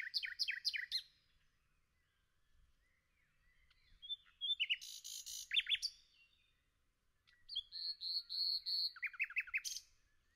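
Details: A common nightingale sings in a forest in bursts: rapid repeated chirps, sharp descending notes and a sustained whistled trill, separated by brief pauses.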